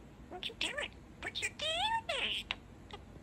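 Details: Male pet budgerigar mimicking human speech, saying "Tada Sunshine" in a few quick nasal, harmonic syllables, with a longer drawn-out wavering note near the middle.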